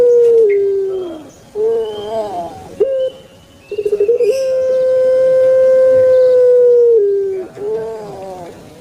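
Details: Kept puter pelung turtle dove from Java, Indonesia, giving its thick 'kwok' coo: short falling notes, then a long steady hollow tone held about three seconds, ending with a dip and quick closing coos.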